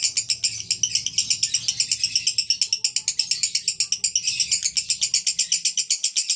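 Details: Konslet song from a male lovebird: loud, strident high chattering pulses in a fast, slightly uneven rhythm, running nonstop.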